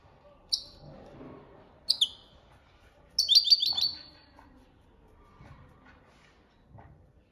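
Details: European goldfinch with copia Malaga training song: a couple of sharp high chirps, then a fast rattling trill around three seconds, followed by quiet low background noise.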